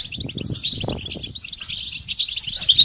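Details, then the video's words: Short burst of European goldfinch song, mating and readiness calls for stimulating silent males: loose sequence of thin, high chirps and twitters with brief gaps, faint low rumble underneath. "بتبتة فعالة و ستستة فتاكة رهيبة في علاج صمت الحسون"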